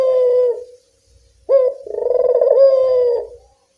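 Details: Barbary dove in the evening, call used to lure reluctant doves: the end of one falling coo, a brief silence, then a sudden rising note into a long, vibrating, even coo.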